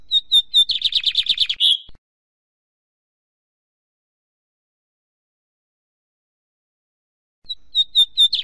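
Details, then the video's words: Lined Seedeater singing: a rapid, buzzy trill of high notes lasting about two seconds, ending in a harsh rasp; a long silence follows before a new phrase opens with a few clear, separate chips. "OS 7 CANTOS MAIS BONITOS E MELHORES DO BIGODINHO"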